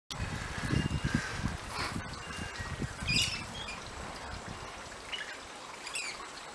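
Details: Rainbow Lorikeets in a flock feeding on seed pods in backyard Chinese Lantern trees; scattered shrill, harmonic screeches stand out over low thumps and rustling from the feeding birds.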